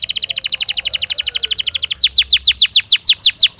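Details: Belgian canary singing naturally, offered for training other canaries: a fast, even trill of bright repeated notes, switching midway to a slower series of sweeping downward whistles.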